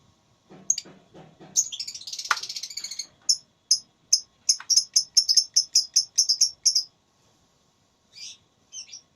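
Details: Lovebird in a singing contest giving a dense rattling chatter followed by a fast series of sharp high chirps repeated about twice a second, then a few faint notes.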